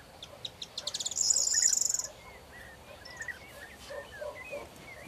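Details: A Corn bunting sings on 4 June 2022: ticking notes accelerate into a fizzy, jingling trill of about a second, while other birds keep up lower, slurred chirps and whistles throughout.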